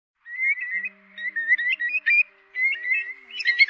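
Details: Whimbrel calls linked to night migration in August 2024: clear, wavering whistled notes repeated in short bursts at a steady mid-high pitch, with a faint low hum beneath.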